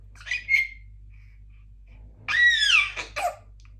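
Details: Female Congo African grey parrot, a talkative pet practising words and sounds indoors in the morning, gives a short whistled chirp, then a longer voice-like phrase that arcs up and falls, followed by a brief squawk.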